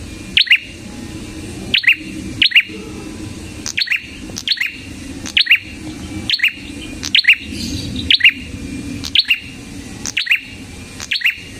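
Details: Repeated high chirps from a red-headed prinia, a recording meant as a lure and master for songbirds; each burst is a clipped double note, the phrases spaced about one second apart, some in close pairs.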